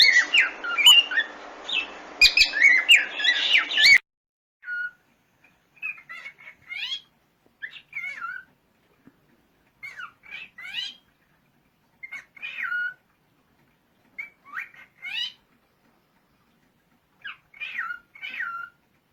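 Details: An albino cockatiel gives bright, rising whistled flock calls, repeated every couple of seconds.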